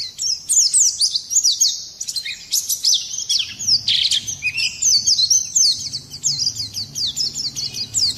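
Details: Rolling Oriental white-eye (pleci) song meant to trigger singing in other birds; a steady torrent of very high, thin chirps, rapidly repeated, with one louder buzzy burst around the middle.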